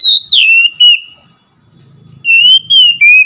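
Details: An Oriental magpie-robin sings loud whistled notes with a sharp downward slur, pauses briefly, then gives three more smooth whistles. A low murmur sounds underneath.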